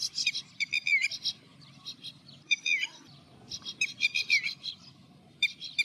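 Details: Red-wattled lapwing calling in the background while a little egret searches for fish: loud, sharp, ringing notes in quick clusters of three to six, with short pauses between bursts, over a soft low rumble.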